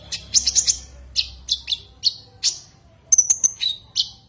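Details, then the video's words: Common iora (konin) calling a rival: bursts of high, sharp chirps, a quick stuttered run near the start, then spaced single notes and a thin sustained whistle late in the phrase. "Suara kicau Burung konin memanggil lawan"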